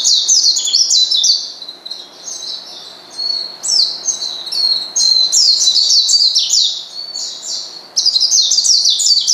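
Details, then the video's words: Rival-provoking calls of an Oriental white-eye: dense bursts of shrill, high twittering notes in rapid runs, with brief pauses between bursts. "pleci manggil lawan bikin lawan emosi dan edan"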